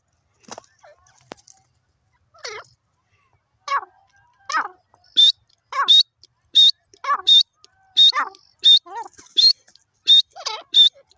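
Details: Grey francolin with lower, wavering notes that build into a regular series of sharp, high squeaky calls, repeated roughly every second and growing louder.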